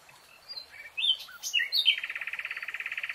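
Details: Nightingale song from a lush green forest: a few scattered whistled notes and slurred chirps, then a loud, fast, even trill of repeated notes at a steady pitch that carries on to the end.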